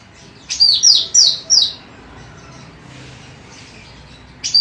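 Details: Singing female cucak rante in a bird-training recording: four loud, high whistled notes sliding downward in quick succession, a long quiet stretch, then one more note begins.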